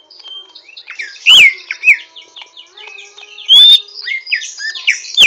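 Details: Rough twittering song of a greater green leafbird still learning to sing: steady high scratchy chatter punctuated by a few loud clear whistled slurs.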